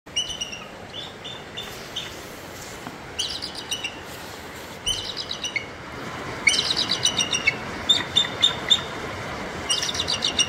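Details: Three adult Bald Eagles in an outdoor enclosure at the Alaska Raptor Center, beside a rushing river in temperate rainforest, give thin, high chittering call series in bursts. A steady broadband roar of water runs underneath.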